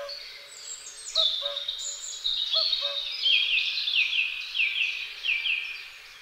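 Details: A pair of great spotted woodpeckers caring for their young: continuous harsh, buzzy chattering in rapid, slightly falling bursts, with a few faint, lower, clear notes near the start.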